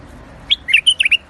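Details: White-eared bulbul, known locally as the Iraqi bulbul, in rooftop gardens, singing one quick bubbly phrase of about five sweet whistled notes that bounce up and down, over a quiet background.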